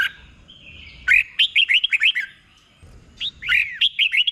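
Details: Red-whiskered bulbul, slow doubled 'bueng' song for training caged birds: a long held whistle gives way to a rapid run of about seven bubbling notes, then after a brief gap another similar phrase.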